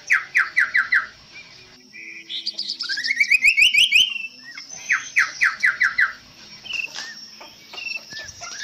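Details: Chestnut-capped babbler (Timalia pileata) sings a long-duration variation: quick bursts of five bright notes alternating with a rising run of sharp chipping notes, repeated with little pause.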